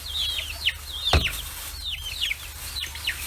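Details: Free-range chicks aged forty days in Kitahiroshima, Japan, clustering at fish heads; high descending whistled peeps repeated in short runs, with one sharp thump near the middle.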